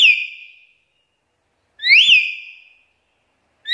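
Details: Black-capped lory used to draw other lories: piercing whistles rising sharply then sliding down into a fading tail, about two seconds apart, clean background.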